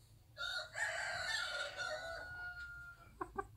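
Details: Bantam hen on a small backyard farm, reacting to being disturbed: a loud, harsh, drawn-out squawk lasting about two seconds that fades into a thin steady tone, followed by two or three short, sharp clucks at the end.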